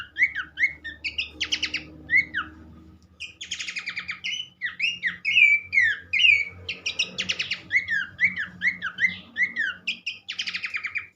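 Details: Song of Abbott's babbler, meant to stimulate other birds of its kind to sing: lively mix of repeated arched whistles, short upward flicks and dense buzzy bursts, nearly continuous, with a low rumbling background.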